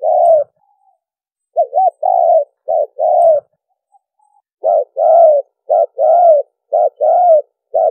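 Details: Spotted dove lure call for trapping: a few throaty coos, a brief gap, a wavering double note, then a run of short-long coo pairs; clean recording.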